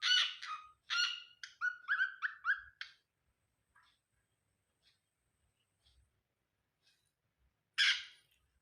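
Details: A pet cockatiel, acting possessive toward wild birds nearby, gives a rapid string of harsh, screechy, up-and-down calls, then falls quiet before one more loud screech.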